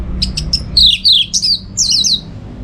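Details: Orange-headed thrush in full, energetic song, used as training audio for song-contest birds: a quick run of sharp high chirps, then looping whistled notes sliding down and up, each about a quarter second long, with a faint low hum behind.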